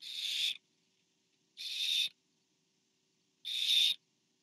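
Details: At a barn owl nest camera on 24 September 2015, where a parent feeds an owlet, three hoarse hissing screeches sound, each about half a second long and separated by pauses of about one to one and a half seconds.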